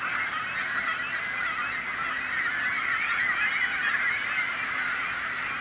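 A dense chorus of gulls, many harsh, nasal calls overlapping continuously, several per second, with steady background noise underneath.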